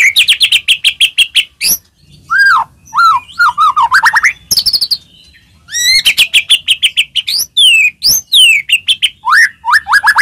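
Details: White-rumped shama song used as a lure to provoke other shamas into singing: rapid bursts of sharp, repeated ticking notes alternating with loud, varied whistled phrases that slur up and down, some harsh chattering, and a brief quiet pause near the middle.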